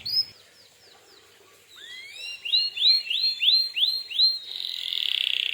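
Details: Canary singing 'gacor' song to provoke answers from other canaries; soft downslurred notes, then a series of loud rising upswept whistles roughly three per second, finishing in a rapid buzzy trill.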